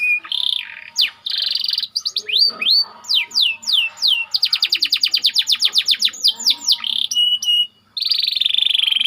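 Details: Tight-rolling white canary song used to tutor other canaries: buzzy trills alternate with curved whistled sweeps, then a fast run of about twenty rapid repeated notes, ending in another buzzy roll.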